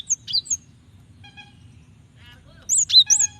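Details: Female Java sparrow calling to the male, a call used to provoke males into singing; brief high chirps with upward-flicking notes at the start, a pause, then another cluster of sharp chirps.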